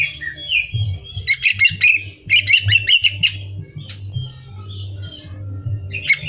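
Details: Greater green leafbird singing for song-competition training: a whistled slur followed by clustered bursts of harsh, rattling chips and squeaks, pauses between, with low humming throughout.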